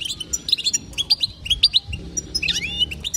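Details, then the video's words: Twittering calls of a female European goldfinch, used to get males singing; quick high chirps in clusters, ending in a short rising-falling twitter. "بتبته تهيج المقنين مجربه وناجحه للمقنين الضعيف ستجعل مقنينك يغرد بلا توقف"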